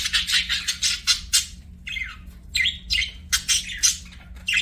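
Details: Budgies kept as pets give bursts of scratchy, high chirping notes in quick clusters, separated by short gaps, with a faint electrical hum behind.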